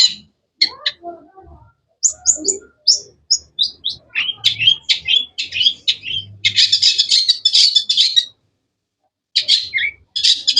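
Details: Cendet singing a long, lively sequence of sharp whistled notes that speeds into dense rapid chirping, then pauses before more harsh bursts.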